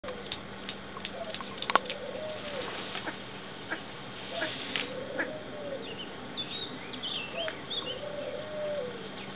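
Temminck's tragopan giving low, moaning, slightly arched notes about every three to four seconds, over scattered clicks and faint high chirps.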